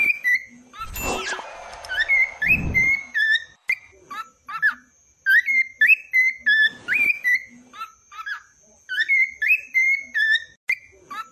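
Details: Cockatiel singing a long series of bright whistled phrases, short sliding notes and steady tones repeated in groups, broken early by a loud burst of noise and later by a brief rustle.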